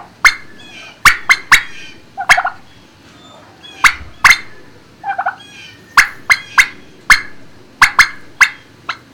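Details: Inside a turkey barn, 26 March 2019 around noon: frequent sharp, clipped calls rapidly repeated in uneven bursts, interspersed with a few softer, lower yelps, against a quiet background.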